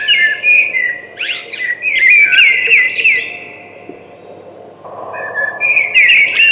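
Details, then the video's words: Thrush song in varied, looping whistles and quick twittering notes, then a quieter stretch with a low hum before a final bright warbled phrase. "Beautiful Thrush Singing"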